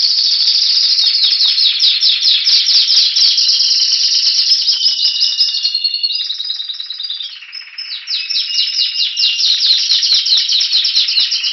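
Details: Spanish Timbrado canary from Anavissos near Athens, Greece, 2015 bird recorded in February waiting for spring: continuous loud metallic rolling trills, rapid pulsed notes about two per second changing pace, a softer hollow passage midway.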